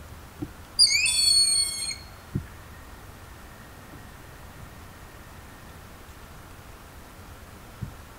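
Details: Broad-winged hawk recorded in Estrie, Quebec: one thin, high, piercing whistle lasting about a second, with a short upward attack and then a long level tone. Several quiet seconds with faint low thumps follow.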